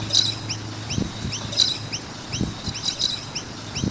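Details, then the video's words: High, quick curved chirps from noisy miners around a skate park, several birds calling together with two louder bursts, over a low droning hum and occasional thuds. "Noisy Miner Birds with Chirping Sounds"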